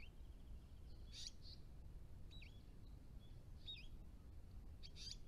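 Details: Dusky woodswallows, adults and immatures, in good numbers at a creek pond in NSW give soft, brief, high chirps spaced about a second apart, faint over a steady low rumble of wind or distant noise.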